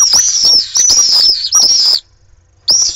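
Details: Live nest camera in Jerez de la Frontera, Cádiz, catches pallid swifts in a nest fight: long, harsh, high-pitched screams in three close bursts, then a brief silence and another scream, with scratchy scuffling beneath.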